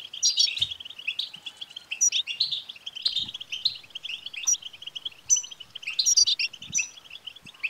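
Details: European goldfinch chattering song to stimulate a caged male goldfinch: an unbroken stream of fast liquid twitters, with sharp high buzzy phrases recurring every second or so.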